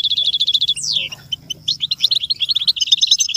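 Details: Goldfinch song for tutoring chicks: a fast, evenly repeated trill, then a sharply falling whistled sweep, followed by a lively jumble of quick chirps and twitters.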